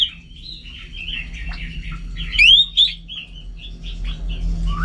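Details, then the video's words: Orange-headed thrush kept at home, singing a varied, rambling warble of soft chirps, with one loud, sharp rising whistle and a short follow-up note near the middle, over a low background hum. "Super Kicauan ANIS MERAH Gacor"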